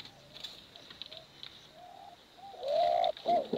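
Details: Bekuran competition cooing of male and female pigeons. Soft, distant hoots give way to a sudden loud, throaty coo near the end.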